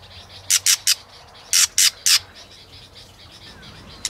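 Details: White-rumped shama, with a female used to provoke a male and coax a wild-caught bird into competitive singing, tail-flicking. Two bursts of three loud, harsh, clacking notes about a second apart, then quiet with faint background noise and one final sharp tick.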